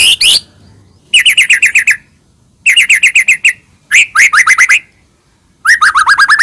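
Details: Captive-style white-rumped shama song meant to goad another shama to answer: rapid trills of bright repeated notes in bursts under a second long, separated by brief silences, with a run of rising slurred whistles at the end.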